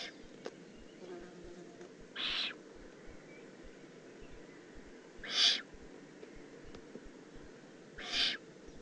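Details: Three short, noisy rasps from a juvenile Eurasian eagle-owl recorded in the Eifel, Germany, on 18 June 2016, repeated at uneven intervals of about three seconds over a soft hiss of background noise.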